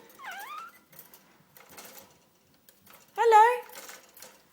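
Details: A pet male budgerigar says "hello" in short, high, reedy bursts with a wavering pitch, the first time he ever said it, as a cat is told to get down nearby.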